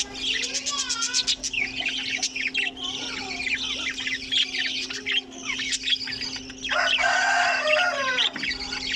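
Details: Budgerigar colony shared with cockatiels: a rapid string of sharp clicking chirps, then warbling whistles and a loud, noisy outburst of many birds calling at once, over a continuous low hum.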